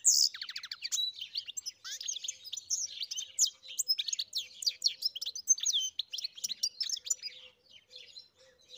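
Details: A European goldfinch sings a busy, chattering medley of quick chirps, short trills and slurred whistles, thinning out into scattered notes toward the end.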